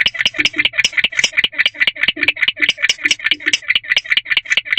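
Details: At night in a nest box, a male barn owl keeps up his chirping (3 May 2023, 1:22 am): harsh, raspy chirp notes in a fast, slightly uneven series, roughly 150 per minute, with no other voices.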